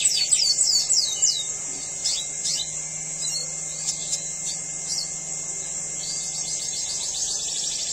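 A red siskin in breeding condition sings a fast, high, scratchy twitter of rapid chirps and trills, over a low steady mechanical hum.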